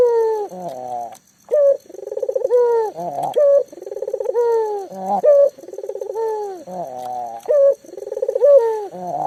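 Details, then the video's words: Lively local collared dove kept to lure silent doves into calling: a steady run of low mellow coos, each pulsing and wavering, broken by short bright higher notes and repeated roughly once a second. "burung puter lokal gacor"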